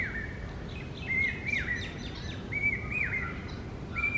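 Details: Pair of Rose-ringed Parakeets, Indian Ringnecks, hollowing a nest hole in a tree during summer breeding season: sharp, squealing calls with rising and falling slurs, given in short bursts amid steady low background noise.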